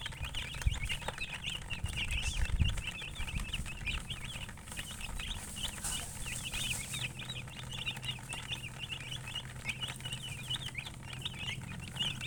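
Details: Colourful chickens keep up continuous high chirping beside a hen, many short downslurred peeps crowding together over twelve seconds, with a few dull low thumps early on and a constant low hum.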